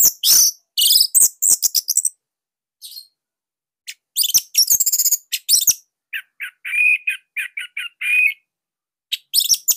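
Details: Bali orange-headed thrush master song for young or silent birds; loud busy chattering and trills, then a series of quick repeated whistled notes, ending in renewed rapid twittering.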